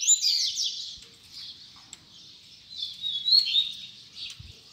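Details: Double-collared seedeater, tui tui zel zel song style: fainter high buzzy trills and whistled slurs in two bursts separated by a quieter gap, over soft low background rustling.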